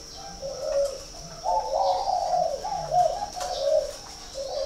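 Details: Northern Vietnamese spotted dove from a Ba Vì, Hanoi farm delivering a short coo, then a drawn-out connected phrase of throaty, warbling coo notes, over a faint constant high tone.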